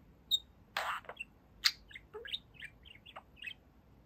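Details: Two-year-old male pet budgie indoors: a sharp squawk followed by a string of short, chirpy warbled notes and clicks, irregularly spaced.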